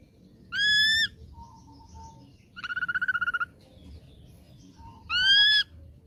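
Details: Song of a young ashy drongo caught from the wild: two loud, rich whistled notes separated by a fast rattling series of about a dozen short pulses, with faint soft lower whistles in between.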